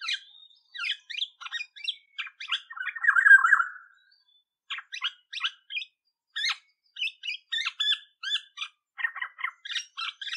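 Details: Olive-backed oriole producing a rapid series of short, harsh, scratchy notes, several a second, broken by a drawn-out rasping squawk near the start and a brief pause, with no other sounds.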